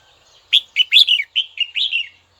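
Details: Red-whiskered bulbul calling a rival, a kept bird being brought into form. One lively phrase of about seven quick, rich whistled notes runs for under two seconds, some notes slurring downward.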